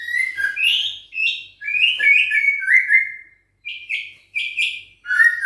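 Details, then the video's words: Caged juvenile White-rumped shama, six weeks of age, of Bahorok bloodline, answering a rival, pours out a quick stream of bright chirped and trilled notes, then short repeated clipped phrases. "Usia 6 Minggu Ditrek Ngelawan💪Trah Murai Bahorok Ori Prestasi"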